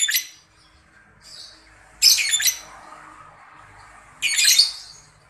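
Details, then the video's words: Breeding-condition cucak jenggot (Grey-cheeked Bulbul) making 'ngetik' calls meant to trigger long 'ngekek' calls; three loud grating, buzzy bursts about two seconds apart, separated by quieter rasping notes. "Labet ngetik BIRAHI siap siap akan NGEKEK cocok untuk pancing labet NGEKEK panjang"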